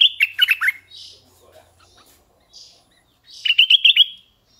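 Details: Red-eyed bulbul kept as a decoy bird, giving two quick bursts of bubbly, chattering notes. The notes are bright and mid-high, with short soft rasps in between.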